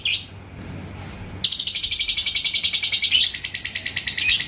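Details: Ngekek song of a yellow lovebird in Indonesia, provoked by a rival bird: after a brief chirp, a continuous high rattling trill of rapid, evenly spaced pulses runs about three seconds, steady in pitch, with faint low background hum.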